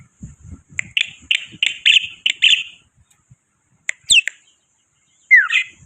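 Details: Black-winged myna (white starling) in a chatty lure recording: a run of harsh, buzzy chattering notes, then a few sharp notes and a downslurred whistle after a pause, over faint low rumble.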